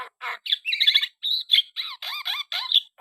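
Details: Black-winged starling in animated song: a tight sequence of squawks and downward-sweeping whistled notes with raspy overtones, delivered in quick successive phrases.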